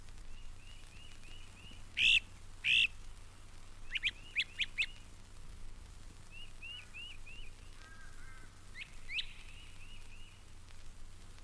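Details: Tufted Titmouse, a regular at feeders in Mountain Lake Sanctuary, Lake Wales, Florida, gives quick runs of three or four clear slurred whistles like 'peter-peter-peter', interrupted by louder harsh bursts and sharp chips from other birds over a low hum.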